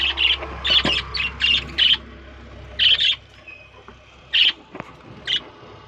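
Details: Shrill squeaky chirps from lovebirds in a breeding colony, uttered in small clusters with gaps of a second or more between them, over a low background hum.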